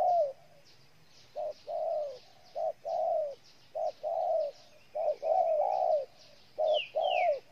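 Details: From Ninh Thuận, Vietnam, a spotted dove coos in a rhythmic run of short and long soft notes, each long note dropping in pitch, with insect hiss and a couple of quick higher bird calls behind.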